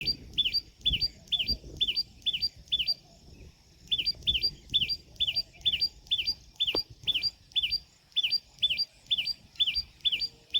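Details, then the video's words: A Common tailorbird in Ranthambore National Park, Rajasthan, repeats loud, sharp, high chirps about twice a second in steady runs, with short pauses between bursts. "Sound of Common Tailorbird | Common Tailorbird Call | दर्जिन चिड़िया की आवाज | Tailorbird Chirping"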